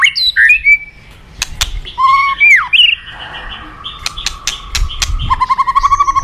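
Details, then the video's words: White-rumped shama from the forest singing sweet downslurred whistles and chirps, a few sharp clicks, then a long, steady pulsed trill on one pitch. "Terapi Murai Batu Hutan"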